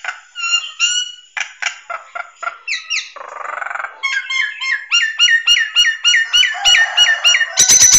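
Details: Nias hill myna master recording, suggested for training in morning or evening; loud, ringing whistles mixed with harsh squawks and clicks, then a rapid run of repeated falling whistles, about three or four a second.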